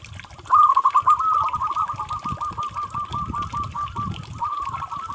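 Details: Zebra dove, a local bird, delivering a long level series of rapid clipped coos that starts loud and then fades a little, over steady low background rumble and hiss.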